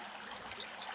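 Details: Juvenile western yellow wagtail foraging in a low cypress in the Axios Delta National Park, Thessaloniki, Greece: two thin, high, slurred notes about a quarter-second apart over a soft hiss like trickling water.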